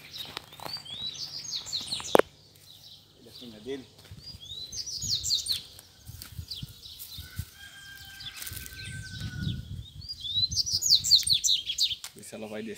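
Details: Caged male Double-collared seedeater challenging free wild rivals outdoors. Bursts of fast, high, descending chirp series separated by quieter gaps, a sharp click, rustling and low fluttering sounds, then a final lively twittered phrase.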